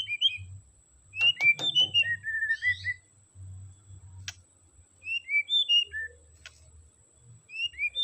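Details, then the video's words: White-rumped shama song meant to rouse a reluctant caged singer: clear whistled phrases of several slurred notes, delivered in bursts separated by brief gaps, with faint clicks and a low background hum. "Kicauan Murai Batu Untuk Menaikan Emosi Murai Batu yang kurang gacor"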